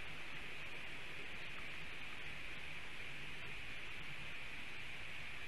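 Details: Only constant broadband static with faint rustling is heard, with no calls from any animal.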